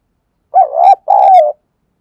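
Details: Spotted dove coo used as a lure for wild doves, in thúc gù and gáy gọi style: two close, loud, hollow notes, the second longer and gently wavering, in clean silence.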